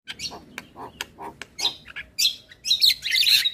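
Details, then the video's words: Song of a male black-winged starling for training young starlings: a string of clicks and low hollow notes, building into loud harsh broadband chatter near the end. "Suara Jalak Kebo Jantan Full Isian Untuk Pancingan Burung Jalak Muda"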